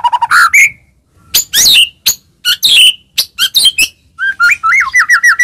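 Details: White-rumped shama singing as a provoking lure for other shamas: sharp, loud, varied whistles and harsh upslurred notes in quick bursts, ending in a short run of rising, bouncing whistled notes.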